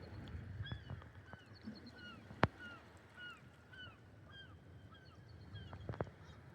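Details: Several gulls at a rocky beach, with two bald eagles nearby, give short, downslurred mewing calls in an overlapping stream, about two a second, over wind and surf after big waves; any very high-pitched sound is a bald eagle; a few sharp knocks.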